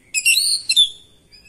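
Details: Oriental magpie-robin (kacer) responding to another kacer with vigorous gacor singing, showing off its isian repertoire: one short burst of bright, high whistled and buzzy notes ending in a sharp, rising squeak, then quiet.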